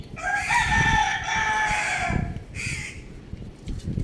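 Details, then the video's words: Young rooster playing on a roof gives one long, hoarse, drawn-out crow lasting about two seconds, followed by a shorter harsh note, with low background rumble throughout. "Adorable Young Rooster Chirping Sounds"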